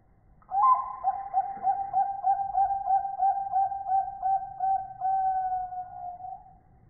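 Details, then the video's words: Bangkok-type zebra dove, a kept songbird, delivering its prized rhythmic coo: a short lead-in note, then a sustained tonal coo rippling in rapid regular beats for about six seconds before trailing off. Faint low rumble behind. "SUARA PERKUTUT BANGKOK IRAMA ISTIMEWA"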